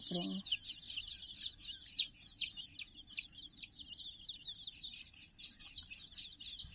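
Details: Sixty young chickens swarm a puppy teddy toy, keeping up a continuous chorus of shrill, wavering peeps. A brief low tone sounds at the very start.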